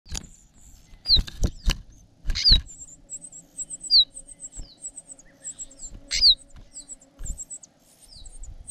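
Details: Parasitic cuckoo chick gaping and begging for food from its foster parents: thin, high squeaks, short descending whistles repeated irregularly, over rustling, thumps and handling noises near the nest.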